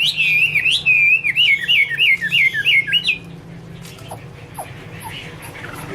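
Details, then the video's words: Chinese hwamei (Garrulax canorus) opens with a bright warbled phrase, then repeats a rolling whistled motif about seven times over three seconds before fading to quiet scattered notes and a low hum. "Birds Garrulax canorus: Singer yellow mouth - wonderful birdsong 2016"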